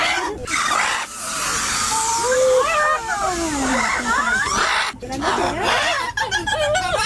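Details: Several macaws in Panachi park, Santander, northern Colombia, calling together in an overlapping chorus of sweeping, bending squawks that rise and drop in pitch over a steady rushing background.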